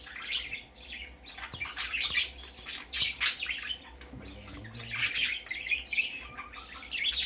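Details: Young parakeet on its first trip out, repeated loud, grating squawks and chirps in clusters, with a faint low hum in the background around the middle.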